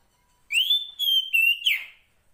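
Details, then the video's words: A wild female Oriental magpie-robin calls to the male with a clear sustained whistle, held steady then broken into three connected phrases ending in a brief buzzy downward flourish, no other sounds. "Suara Kacer Poci Betina memanggil Jantan"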